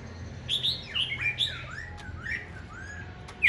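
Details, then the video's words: Tame caged Black-throated laughingthrush that sings all day, here softer, with scattered high chirps and downslurred whistles followed by a few gentle rising notes and a sharp final burst, over steady low room hum. "Khướu bạc má thuần hót cả ngày"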